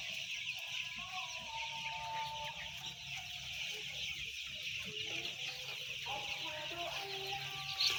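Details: Massed peeping from some 10,000 white chicks forms a thick, even sheet of shrill cheeps, with a low rumbling hum underneath throughout.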